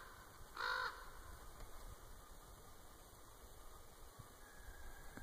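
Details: Common raven in Winlock, Washington, on 10 March 2017, possibly drawn in by a person's clicking: one short hoarse croak early on, then steady background hiss.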